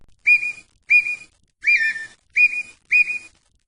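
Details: Red-winged tinamou (perdiz, perdigão) of Brazil giving five short whistles spaced about 0.6 seconds apart. Each note rises sharply, then holds, and the middle note slurs slightly downward.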